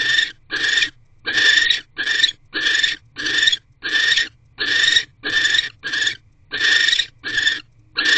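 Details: A male barn owl brings food to his mate inside a nest box, evening of 19 January 2024. Rough, hissing shrieks sound in paired and single bursts of up to half a second, pulsing irregularly through the recording.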